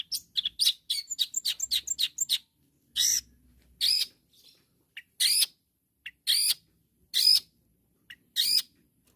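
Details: Long-tailed shrike calling rivals: a quick chattering string of scratchy notes for two seconds, then single loud harsh screeches spaced about a second apart.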